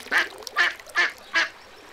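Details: Ducks on a pond give four loud, nasal, evenly spaced quacks in two seconds, each short and harsh, with a quiet background.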